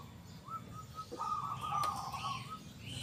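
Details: Zebra dove, local type, known for a big, loud, clear 'kung' voice. A few soft short notes lead into one long, rolling trilled coo. Faint higher chirping of other birds sounds at the end.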